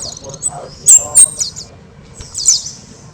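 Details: Orange-headed thrush in loud, energetic song, recorded as a model for training other songbirds. A few brief high whistled notes, two strong ones close together and a fainter slurred phrase a second later, over quiet low background hum.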